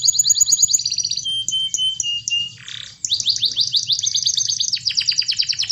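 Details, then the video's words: Canary in full song, played to make reluctant canaries sing: clear high steady whistles, a brief lower rough note, then a long series of quick descending chips, roughly three a second. "Pancingan Emosi Kenari Supaya Gacor"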